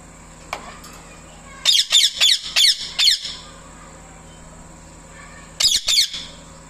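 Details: Pet parrot calling loudly to a male parrot: bursts of harsh, high chirps in a quick run of about five, then a pause and a shorter pair of chirps, over a faint steady hum.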